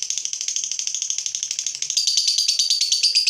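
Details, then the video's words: Provoked fighter lovebird sings a sustained ngekek: a rapid, scratchy, high-pitched trill of evenly repeated notes that grows louder and sharper in its second half. "Lovebird FIGHTER terpancing Panas, nyaut Ngetik lanjut Ngekek Panjang"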